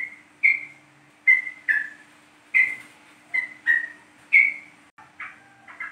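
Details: Yellow-vented bulbul lure from East Java to make the bird sing: a steady run of short, slightly falling whistled notes, singles and pairs, ending with softer, lower warbled notes.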